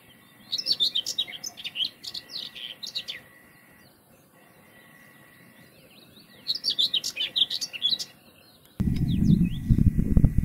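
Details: Wild common whitethroat delivering two brisk, scratchy chattering song phrases, each about two to three seconds long with a pause between, followed at the end by loud low wind buffeting.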